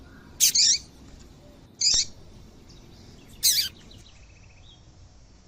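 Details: Calls of a female double-collared seedeater, used to make males sing: three short, high, clipped chirps spaced roughly one and a half seconds apart, the first doubled, with faint distant birdsong behind.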